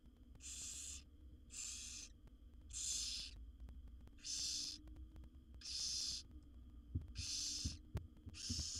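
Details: Seven wild barn owlets in a nest box beg during a feeding visit from their mother: a steady series of seven harsh snoring hisses, each under a second, repeated roughly every second and a quarter.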